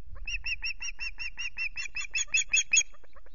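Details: Osprey at its nest with chicks, Loch Garten, 5 July, nest camera, male bringing two fish; rapid series of about fifteen sharp piping chirps, gradually rising in loudness toward the end, then fading.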